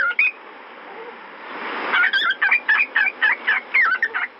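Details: Albino fawn pied cockatiel gives a quick run of about ten short, bright chirps, several each second, after a lone chirp at the start, over a soft background hiss.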